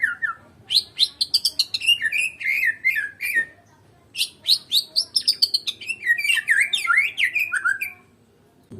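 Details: White-rumped shama from Medan pouring out two long, rapid phrases of chattering, tumbling whistles and trills, each lasting about three to four seconds.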